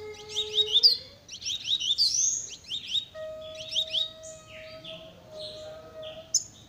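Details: Double-collared seedeater singing a very fast, sprinter-style song: rapid bursts of high chirped, sweeping notes in quick runs, pausing briefly between phrases, with a steady low tonal hum underneath.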